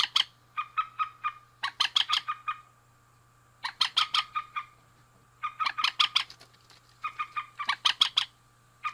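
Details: Rails, a male and a female, giving loud rhythmic calls: clusters of rapid, harsh, stuttering notes in a repeated pattern, about one burst every two seconds, with a low constant hum beneath.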